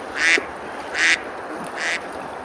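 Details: Summer river scene at Besalú, Girona, Spain, where ducks feed and splash; three drawn-out rasping quacks, the last softer, ring over a steady hiss of running water.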